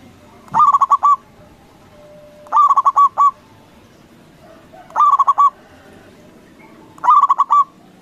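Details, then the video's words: A local zebra dove (perkutut) gives four loud bursts of quick, stuttering cooing notes, each ending in a drawn-out coo, about every two seconds over faint background noise; used as a lure to provoke other doves into answering. "Perkutut lokal Gacor Suara BESAR bikin Cepat Emosi Lawan Auto Nyaut Seketika"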